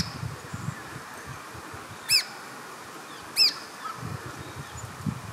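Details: At Carnarvon Gorge in Queensland, Australia, a red-browed finch calls at 18:00 on 20 July 2019, captured with a Panasonic Lumix GH5 camera: two brief, piercing high notes about a second apart, against soft low rumble and hiss.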